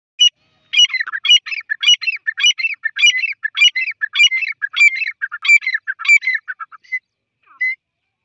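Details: Grey francolin calling: a loud, rapid series of sharp, ringing, repeated phrases, roughly two per second, continuing for about six seconds before a final isolated note; no other sounds.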